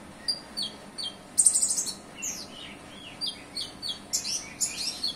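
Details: Olive-backed sunbird in song with cililin phrases, mixing a brief high rattle with a string of thin, sliding, slurred whistles and squeaky chips at varied pitches.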